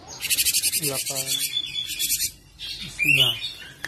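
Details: Cinereous tit giving a harsh buzzing chatter of rapid pulses, a clear drawn-out whistle, then another buzzy rattle, mixed with lower down-slurred squeaky notes, recorded for training caged songbirds.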